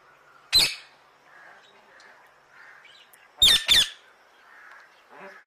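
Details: Alexandrine parakeet giving loud, harsh squawks: one at first, then a quick pair about three seconds later, over a faint background murmur.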